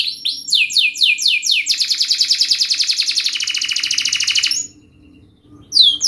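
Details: Canary in energetic song, used as a lure for young birds learning to sing. It opens with rapid descending swept notes, moves into a long, tight, buzzy high trill, pauses briefly, then resumes with a sharp high note.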